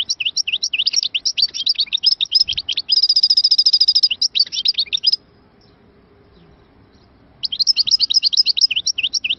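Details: Algerian goldfinch (chardonneret) singing, from Moknine: fast twittering phrases of sharp rising-falling notes, a run of rapid repeated buzzy trills mid-phrase, a two-second pause, then twittering resumes.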